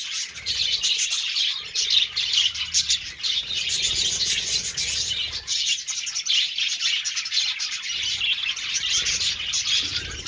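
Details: Mating budgies fill ten seconds with unbroken high-pitched twittering, a rapid jumble of chirps and warbled notes that swells and eases slightly.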